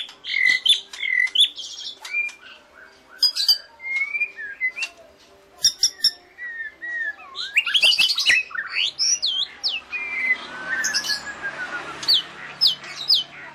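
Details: White-rumped shama song, a long and varied stream of short whistles, chirps and sweeping notes. Toward the end the phrases grow louder and more tumbling, with rising and falling slurs over a faint background hiss.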